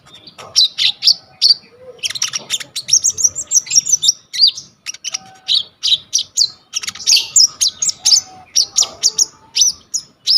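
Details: Energetic brown-throated sunbird, locally kolibri ninja, singing a packed varied song meant as training material, phone-recorded: quick sharp high chips and tinkling trills in clustered bursts, with brief gaps and faint low whistles beneath.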